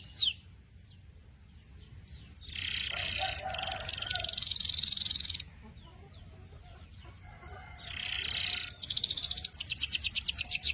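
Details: Canary singing in bursts: dense, rapid high rolls separated by pauses, a few thin upward chirps between them, and a fast rattling trill to finish.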